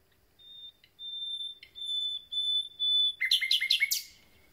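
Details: Common nightingales, newly arrived and starting to sing: a series of long, pure, steady whistled notes, then a rapid loud burst of repeated harsh notes.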